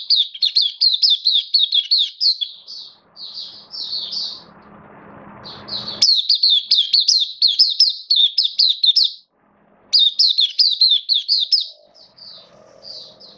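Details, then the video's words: Caged oriental white-eye from the Singapore bird hobby, opening into song on 11 September 2022 while slightly off form: rapid high twittering runs of sharp chips, roughly two per second, broken by short pauses and faint hum. "Mata Puteh Kitaro Buka Sing"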